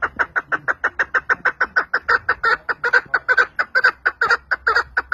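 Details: Partridge call, played back and judged not so beautiful; loud, evenly spaced clucking notes repeated about twice a second throughout, with a faint low hum behind.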